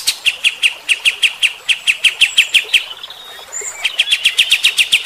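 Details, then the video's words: Bulbul known locally as kapas tembak, a steady singer with rough rapid 'tembakan' bursts, recorded to provoke fighter-type birds; fast sharp chips repeated about three per second, a brief pause with thin whistles, then another rapid run. "AUDIO KAPAS TEMBAK GACOR MBESET TEMBAKAN KASAR. BIKIN EMOSI BURUNG TIPE FIGTER"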